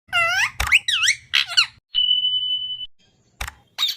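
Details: Parrot making funny natural sounds: warbling, harmonic squeaks that rise and fall for nearly two seconds, then a steady pure beep-like whistle lasting about a second, followed by short clicks and a final squeak.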